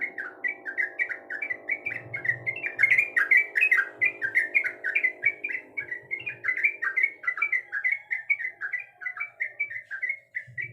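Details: Female sooty-headed bulbul calling the male: a fast run of short, bright, slurred whistled notes, roughly two or three per second, going on steadily over a faint low hum and a thin tonal background.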